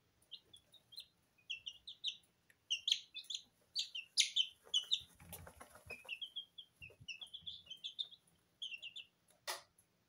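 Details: Kitchen recording of two-week-old Porcelain and Lemon Sablepoot bantam chicks bathing in feed: many brief high cheeps in uneven clusters, a burst of scratching in the middle and a sharp click near the end.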